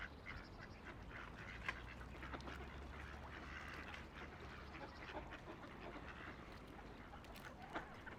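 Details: Riverside ducks calling with sparse, low-key quacks spaced irregularly, partly blended into a steady wash of flowing water.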